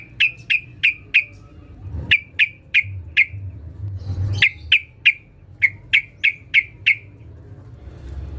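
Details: Female sooty-headed bulbul calling for a male, used as a lure: evenly spaced, sharp piping notes in runs of four to six, with short gaps and a faint low rumble beneath.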